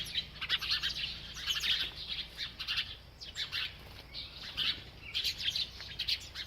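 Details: Bird chirping as it eats, giving short clusters of thin, high twittering notes roughly every second, some softer and some sharper, over a faint steady background hiss.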